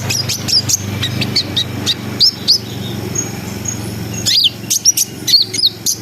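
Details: Brown-throated sunbird song meant to raise breeding arousal: scattered very high sharp chips and short hooked whistles, busier near the end, over a faint low rumble.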